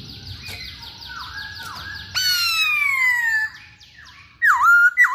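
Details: Masked laughingthrush in active song: soft repeated falling whistles, then a loud long downslurred harsh note, then two sharp dipping whistles.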